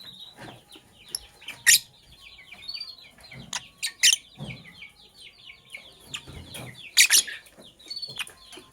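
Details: Lovebirds, sky blue opaline and cobalt, chirping in the morning: a busy run of falling chirps, mixed with several sharp clicks and rattling knocks.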